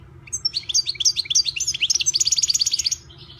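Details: European goldfinch, a privately owned bird, singing one rapid phrase of high twittering chirps that quickens into an evenly spaced run of sharp notes, lasting about two and a half seconds over a quiet low hum.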